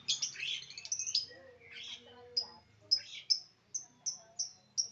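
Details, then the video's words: Lovebird giving a burst of harsh, buzzy chattering notes, then a series of short, sharp high chirps repeated roughly every half second. "love bird"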